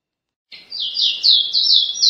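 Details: Paraense caboclinho song beginning after a short silence: a steady chain of bright, high whistled notes, each sliding downward, delivered in quick succession.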